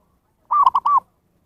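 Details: A zebra dove's call, played to draw in wild birds: one quick phrase of three soft, bubbling coo notes, the middle one shortest, then silence.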